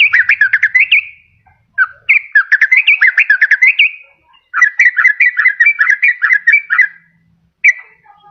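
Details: Lure recording of a sooty-headed bulbul, meant to draw wild birds and stimulate lazy singers: three long bubbly phrases of rapid, rising and falling chirped notes with short pauses between them.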